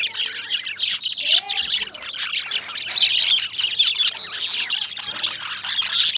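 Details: A steady, dense wash of high lovebird chirping and twittering, many birds calling at once with no pauses, with a brief whistled glide early on.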